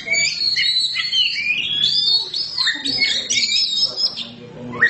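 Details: Oriental magpie-robin, a black bird, in lively continuous song: fast, varied whistled phrases and chirps that rise and fall, with rapid trills and a few short notes near the end.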